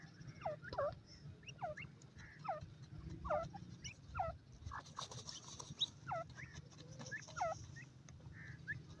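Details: Grey francolin chicks playing in a forest: short, falling, hooked chirps given in loose bursts about once a second, with a steady high insect drone and low rumble behind them.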